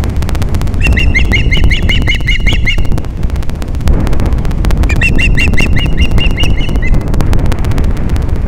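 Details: Osprey pair on Captiva, Florida, during morning mating in December: two long runs of rapid, piercing whistled chirps, each run about two seconds, against constant low wind rumble.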